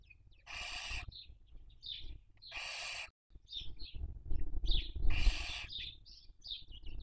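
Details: Barn owl raising young, 2023 breeding season, Cabañeros National Park, Castilla-La Mancha, Spain, on a nest webcam: a string of harsh noisy screeches roughly every two seconds, interspersed with small chirpy notes and low thudding movement sounds.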